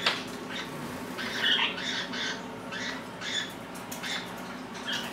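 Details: Several pet Lineolated parakeets in a small indoor room, one standing close to the camera; gentle chirping chatter with a clearer whistled note early on, then a steady series of short soft calls from multiple birds over low hum.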